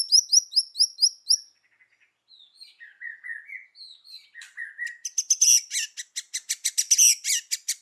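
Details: White-rumped shama, forest-voice song style: a rapid series of high, sharp repeated notes, softer slurred whistles, then a long run of bright, fast clicking and chattering notes.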